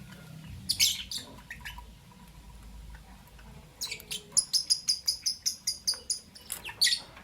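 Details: Albino and Euwing green opaline lovebirds chirping in the morning. Scratchy chirps open the clip, then a fast run of about twelve evenly spaced, ringing high notes follows and ends in harsh chirps.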